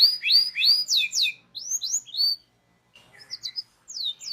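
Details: Indonesian local canary singing for a training recording: loud paired upward-slurred whistles repeated rapidly, a short pause, then softer chirps and further sweeping notes.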